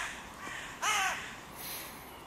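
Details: One crow gives a single harsh, drawn-out caw in King Albert Park by the music pavilion, where three breeding pairs dispute their territory borders. Faint background calls follow.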